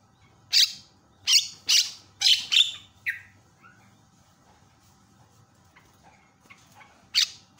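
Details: Javan myna, a lively calling bird used to provoke other mynas into calling: loud harsh broadband squawks in a quick burst of five, then a pause and one more rasping note.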